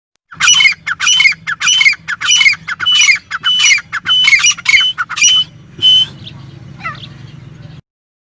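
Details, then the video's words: Partridge calling in Pakistan: a loud, harsh, rhythmic series of squawking notes repeated roughly every half second, each with a bright ringing upper tone, ending in a couple of softer notes and a faint low rumble behind. "Partridge Sound Pakistan"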